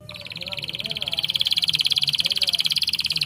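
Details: Canary song: a fast, even rolling trill of rapid repeated notes that holds steady in pitch and swells slightly in loudness over about three seconds, with a faint low hum underneath.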